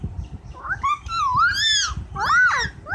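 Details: Household parrot in talk with a child gives a run of arching, strongly harmonic calls that rise then fall, growing louder midway, with a short pause before a final pair of curved notes.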